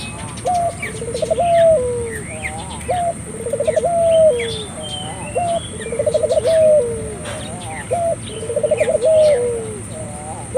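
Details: Puter dove (turtle dove) cooing in a lively way, used to prompt local doves to join in. Low, rolling coos with a quick pulsed stutter then a drawn-out falling note, repeated about every two and a half seconds. Thin chirps from small birds sound above.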